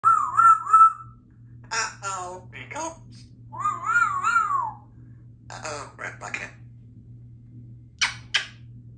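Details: Symon, a female Congo African grey parrot, talks in clear, human-like phrases with rising and falling tones, punctuated by short clicks and smacking kiss sounds; a steady low hum runs underneath.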